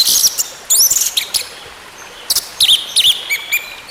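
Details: Orange-headed thrush singing as a lure for a silent bird. Rapid high chips and a looping whistle, a short lull, then wavering whistled notes repeated several times.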